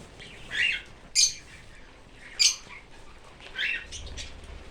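A cockatiel gives short, scratchy chirps and sharp upward squeaks, spaced about a second apart.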